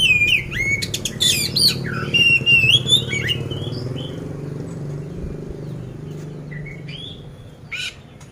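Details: Oriental magpie-robin kept for song contests in Magelang, Central Java, singing a loud burst of rich whistles and rapid chirps, then falling quieter with a few scattered rising whistles over a steady low hum.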